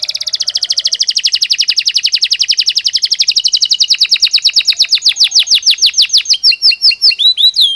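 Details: Belgian canary singing naturally, a long fast trill of rapid repeated notes that slows and broadens into sweeping descending whistles near the end, loud and clean.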